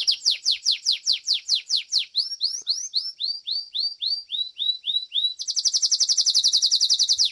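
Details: Domestic Belgian canary singing in a song competition: fast rolls of descending whistled sweeps, then slower rising slurred notes, ending in a rapid bright buzzy trill.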